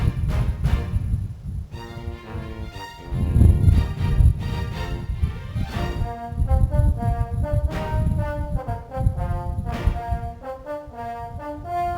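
Orchestral brass music with trombones and horns plays throughout, and no animal sound can be heard.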